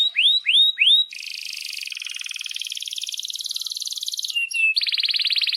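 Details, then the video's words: Vigorous canary song meant for tutoring young birds and canaries that have stopped singing: three loud down-slurred whistles, then a long buzzy rolling trill and a bright, rapid high roll. "Kenari GACOR PANJANG INI Cocok untuk Masteran KENARI PAUD dan Kenari Macet BUNYI"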